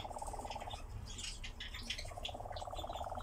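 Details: Nightjar on a steep ravine bank: a rapid, purring mechanical churr runs for almost a second, pauses, then resumes, while high chirps from other birds and a low rumble fill the background.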